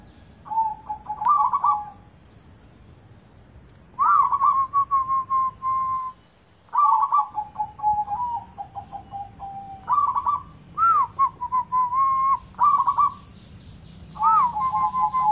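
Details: Zebra dove song used as a lure: repeated phrases of low, rolling, trilled cooing notes that waver up and down, separated by pauses of one to two seconds.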